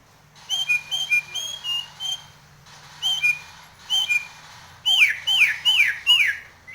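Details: Nias hill myna in breeding condition, nodding as it sings a teplekan fill: loud clear whistled notes in quick repeated groups, then four strong swooping notes that rise and then drop sharply.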